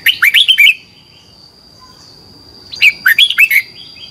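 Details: Red-whiskered bulbul singing competitively, used to train birds: two quick phrases of lively rising and falling whistles about two seconds apart, over a steady thin high hum.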